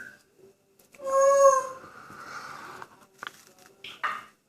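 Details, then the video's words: Indoor pet grey parrot in good humour making a rich, harmonic drawn-out call that slides and fades, followed by short clicks and squeaky noises. "Graupapagei "Paco" pfeift, macht Geräusche und sagt "Hallo" // "Paco" whistling, saying "Hello""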